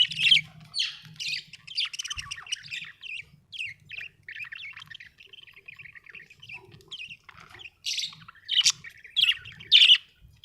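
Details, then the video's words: Budgie chirping and warbling: loud scratchy squawks at the start, a long soft chattering warble through the middle, then sharp repeated chirps near the end. "Australian beautiful birds sound 😍 budgie chirping sound 🥰"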